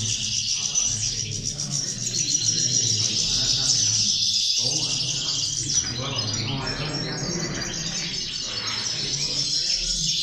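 Many European goldfinches twitter together in a dense, continuous chorus of high, tinkling, liquid notes, with a low background rumble underneath.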